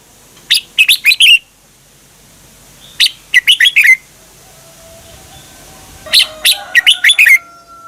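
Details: Red-whiskered bulbul, a Thai cage bird, song played to excite or train caged birds: three loud bursts of four to six rapid, sharp chirping notes sweeping down and ending in a slurred whistle, each about a second long, with quiet gaps between.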